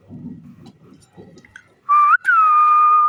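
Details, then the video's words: Green parrot playing with its owner indoors. Low murmuring sounds are followed by a short rising whistle and then a long, even, sustained whistle that continues to the end. "Beautiful Green Parrot Playing & Making Stunning Sounds"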